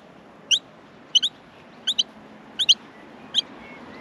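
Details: Australian miner chicks begging in the nest at feeding time, their high chirps mostly in close pairs, about one pair every seven tenths of a second.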